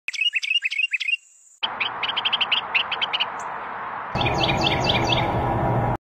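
Carolina wren singing loud, rolling phrases of repeated two-part whistled notes, about three per second, cut between takes with a steady background hiss.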